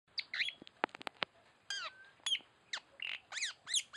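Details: Tanau bird calls, as used for luring: sharp descending chevron notes and clicks, then rising whistled slurs and clusters of steep down-swept notes in quick bursts, with a quiet background.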